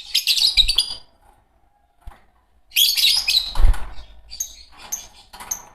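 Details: Green Fischer's lovebird pair gives a shrill chattering burst, a pause, then a longer harsh chatter followed by several short, sharp whistled chirps; a low thump sounds midway.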